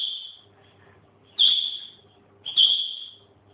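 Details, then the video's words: Pet grey parrot, said to swear at its owner: three clear high whistles, each a short flat tone that fades, spaced about a second apart, over a faint low hum in a quiet room. "my grey tells me to fuck off"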